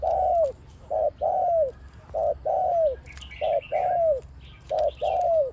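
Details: Spotted dove kept as a trapping decoy for ground, perch and pen trapping, with a big voice and one 'kuk' before nearly constant 'khu-ang' cooing. Low hollow coos come in pairs, a short note then a longer down-slurred one, about every 1.3 seconds. Faint chirps from other birds.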